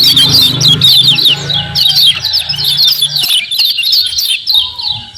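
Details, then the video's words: Lure recording of common iora 'ciak ciak' calls meant to draw a quick response from other ioras: rapid, busy high chirps and twittering notes delivered in bursts, with a low droning hum underneath for the first few seconds. "KECIAL KUNING GACOR PERANSANG BUNYI CEPAT DIRESPON"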